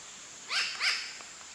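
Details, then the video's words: New Caledonian crow giving alarm calls alongside vigilance behaviour and beak-wiping: two harsh, nasal, downward-arching caws in quick succession, with a faint steady hiss behind. "New Caledonian crow alarm calls"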